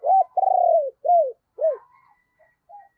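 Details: Spotted dove kept as a decoy to lure wild birds in the morning. It gives a loud, low coo phrase: a short hoot, a long throbbing note, then two arched hoots. Fainter softer notes trail off afterward.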